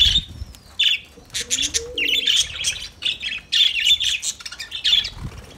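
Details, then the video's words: Lovebirds singing: dense, rapid chatter of sharp, high chirps and squeaky twitters in quick bursts, with short gaps between phrases and a faint lower warbling note near the middle. "Lovebirds Sounds Lovebirds Singing"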